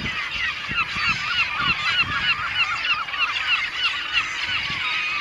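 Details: Caspian gull, a bird in its second calendar year: a clear run of loud, nasal, down-curving yelping notes, roughly three per second and fairly regular, over a background chorus of other gulls and some low thumps.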